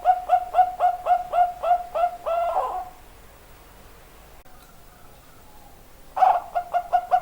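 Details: Zebra dove in full song: about ten rhythmic, clipped cooing notes ending in a drawn-out flourish, then near silence before a fresh burst of rapid coos begins.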